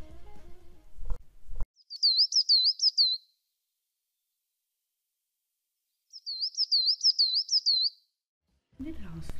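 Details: Coal tit, a bird of German conifer forests often seen in treetops, giving its call: two bursts of high, thin notes, each a quick run of about five wavering up-and-down tones, with a narrator's speech just before and after.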